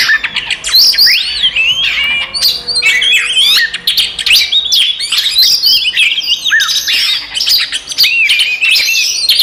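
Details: Oriental magpie-robin fighting song used to stir up other magpie-robins: energetic medley of piercing whistles, sweeping slurs and crackling chatter, almost continuous, with a few brief breaks.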